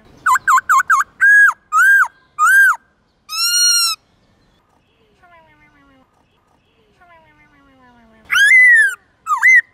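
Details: Black-throated laughingthrush singing many forest voices in the morning, a recording for training young birds: rapid rising notes, arched whistles and one long steady note, then quiet faint calls before loud swooping whistles return.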